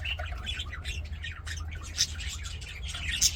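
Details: Budgerigars in an aviary singing and playing; soft chattering warble punctuated by two sharp, high squeaks, over a continuous low hum.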